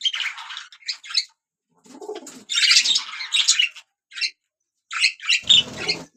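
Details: Budgerigars sing in short separate bursts of squeaky, chattering warble, one burst dipping lower and throatier, the rest high and grating, with brief silences between.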